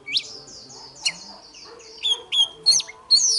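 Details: Oriental magpie-robin morning fighting song, sparse drawn-out sweet whistles gliding high, then a few sharp bright notes and a clear rising phrase near the end, over a quiet low hum.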